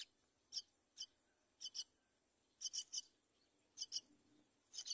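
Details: Mother myna bringing a chick to the nest edge: sharp, high, scratchy notes, often in pairs or triplets, spaced roughly a second apart over a quiet background hiss.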